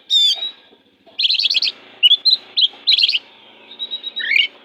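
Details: Oriental magpie-robin kept as a master singer to train other kacers, delivering a sharp opening note, then bursts of rapid scratchy trills alternating with short whistled slurs, and a final descending whistle after a soft steady tone.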